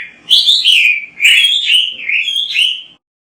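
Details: Oriental magpie-robin song used to stimulate other magpie-robins: three clear, loud whistled phrases of sweet slurred notes, each rising then falling, ending in silence.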